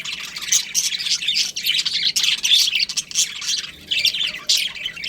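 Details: Chorus of budgerigars kept as a colony, dense scratchy chirping and squeaky warbles pouring out continuously with bursts of louder calls.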